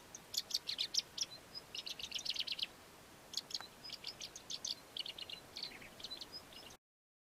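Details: Melodious lark, a southern African lark, singing a song filled with mimicry of other local bird species: rapid bursts of high, sharp chirps and clicking notes in quick series, with brief pauses between phrases, against a quiet background.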